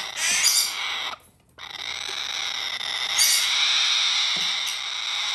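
A blue-eyed cockatoo chick gives a harsh, hissing, rasping begging call in long continuous bursts, with one short pause.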